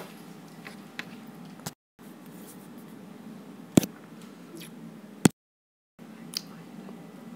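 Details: Only a low indoor hum with scattered sharp clicks and squishy handling noises, broken by two brief silent gaps; no animal voice is heard.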